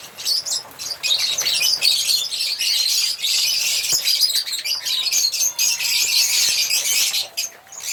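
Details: Dense high-pitched chatter from African lovebirds, a near-unbroken wash of scratchy chirps and squeaks lasting several seconds before trailing off at the end.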